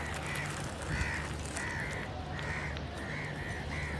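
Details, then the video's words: Seven clear, drawn-out harsh crow caws spaced roughly half a second apart, loud and rasping, with a low humming background. "Loud Crow Noises, Kak Pakhi Sound, Kauwa Ki Awaaz, Kakkar Dak, Funny Crow Sounds"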